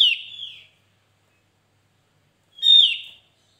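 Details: Two strong, drawn-out descending whistles from a Javan grey-throated white-eye in a lure or tutor recording, roughly two and a half seconds apart, each bright at the start and fading as it falls, with nothing else audible.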